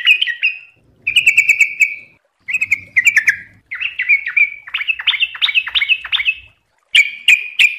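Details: Yellow-vented bulbul, called trucuk, in fast ropel song from a tutoring recording: a quick series of bubbly chirping phrases that build into a run of sharp downslurred notes, then end in crisp chirps.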